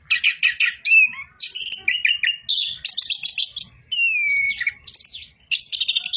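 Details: Rich, varied song of an Orange-headed thrush: clear whistled slurs, quick stuttering trills and sweet descending phrases, delivered in rapid succession with short gaps.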